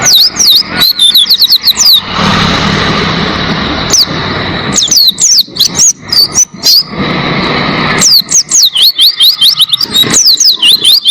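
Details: Oriental white-eye as a tutor singer for cage birds: bursts of quick high thin whistles and chips alternate with stretches of broad hissing noise, the bird resuming its rapid twittering between them.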